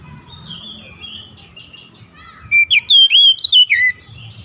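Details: Oriental magpie-robin, described as stressed, singing loud, clear whistled phrases that slide up and down in quick succession after a quiet, faint opening of soft warbling notes.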